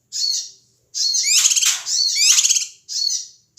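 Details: Ashy tailorbird calling noisily, used to stir up other birds: a short harsh burst, then a long scratchy rattling stretch of rapid high notes, and another brief burst.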